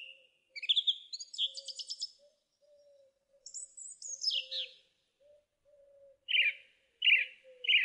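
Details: Song thrush phrases, including scratchy trills and a descending slurred note, end in three repeated rough notes, over a soft continuous low hum.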